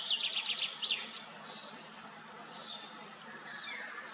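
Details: Common starlings bathing at Madocsa, Hungary, give a jumble of high, thin whistles and quick raspy chirps, with several birds overlapping against a soft background hiss.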